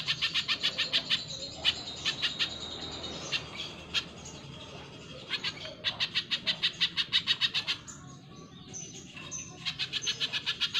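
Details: Vigorous song of a spiderhunter (pijantung pisang), recorded to train cage birds: long runs of rapid, harsh repeated chips, some louder single notes, broken by brief pauses, over faint steady background noise.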